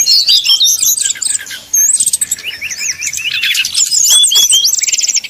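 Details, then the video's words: Srdc bird song intended to provoke rivals into singing. Busy high chatter with a brief pause near two seconds, then a series of repeated short rising whistles and bright chirps. "srdc nyuling bikin lawan jadi panas penuh emosi pancingan srdc tercepat bikin srdc cepat ngeplong"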